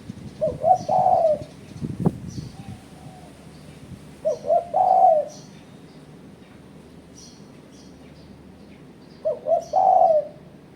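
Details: Spotted dove calling, a challenging call used as a lure for rival birds; three phrases about every four seconds, each two short notes then a longer wavering coo, with a sharp knock and faint high chirps between.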